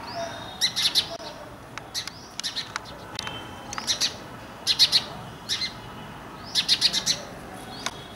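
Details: House sparrow of the Indian subspecies Passer domesticus indicus, from an Indian settlement: repeated clusters of bright chirps and clicks through the whole stretch, with several birds seemingly calling and overlapping.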